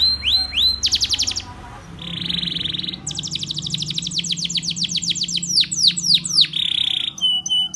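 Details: Spanish Timbrado canary singing a training song: rising whistled notes, a buzzy trill, then a long run of rapid, falling metallic notes ending in a buzz and short whistles, with a faint low hum.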